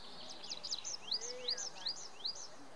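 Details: Tree pipit singing in early June 2019 on the Schomberg, Wildewiese ski area, Sauerland, Germany: a quick series of high, thin upslurred notes, about three a second, over a soft low background hum.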